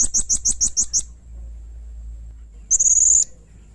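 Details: Serindit, the blue-crowned hanging parrot, in active voice for bird training: six quick shrill high chirps, a pause over a low background hum, then a half-second run of rapid, buzzy, tightly packed high notes.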